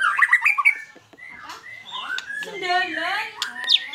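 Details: Energetic white-rumped shama, singing fighter style: a fast opening trill of whistled notes, then drawn-out slurred whistles and a rough, wavering, harmonic-rich phrase.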